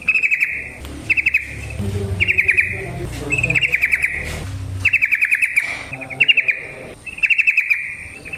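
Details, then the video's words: ["Yellow-vented bulbul (trucukan) in lively 'ropel panjang' song used as a lure for other trucukan: short bubbly chattering bursts, each under a second, repeated about once a second over a low rumbling background."] "Trucukan GACOR ngalas ROPEL PANJANG suara alam AMPUH buat pancingan"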